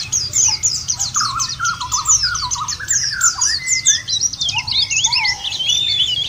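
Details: Lure recording of white-eye song for kept birds: fast, jumbled run of sharp high chirps and slurred whistles, with a lower chattering thread beneath and a few drawn-out whistled notes near the end.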